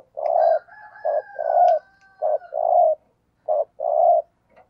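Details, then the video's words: Decoy spotted dove giving the urging 'thúc gù' coo used to lure other doves: low, mellow paired notes, a short coo then a longer rolling one, repeated about four times, with a faint higher tone running behind. "Tiếng Chim Cu Gáy Thúc Gù - Chim Cu Mồi"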